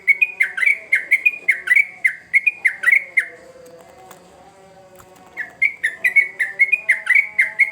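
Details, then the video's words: Sooty-headed bulbul in vigorous song, played to stimulate young birds: bursts of sharp, slurred whistles repeated nearly twice a second, broken by a two-second pause before the chattering resumes; a soft low droning background. "Trucukan Gacor ngamuk Pancingan Terbaik Untuk Burung Paud"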